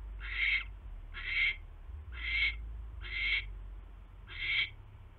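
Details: Owl calling at the nest during an evening mouse delivery on 29 January: five rasping, hissing screeches roughly one second apart, with a low steady rumble underneath.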